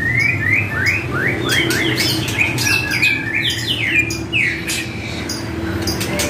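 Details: White-rumped shama song used as a training track to get a caged shama to answer and sing its fillers: rapid series of short, bright rising whistles near one pitch, repeated several times a second, over steady low background hum.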